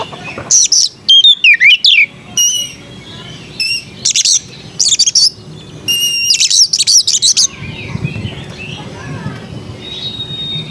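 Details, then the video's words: Oriental magpie-robin in sweet song, giving bursts of high, bright chattering notes and short twisting whistles in clusters separated by pauses, over steady background noise. "Burung kacer bersuara merdu"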